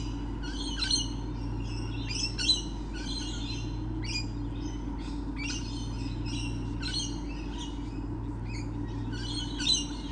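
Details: Many lorikeets recorded on 28 November 2013, giving a steady chatter of harsh, screechy, buzzy notes in rapid bursts, several birds overlapping, over a constant low mechanical hum.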